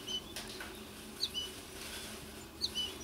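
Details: American goldfinch near a nesting tree where two chicks remain, a mother bird visiting and feeding one of them; thin high notes, each a quick upward sweep followed by a short level tone, repeated about every 1.3 seconds against faint steady background hum.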